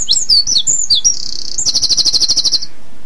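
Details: On an early February morning in Mill Road Cemetery, Cambridge, a Eurasian wren sings as the breeding season nears, advertising to potential mates. Its song is a loud, rapid, high burst of sweet notes ending in a fast trill over low background noise.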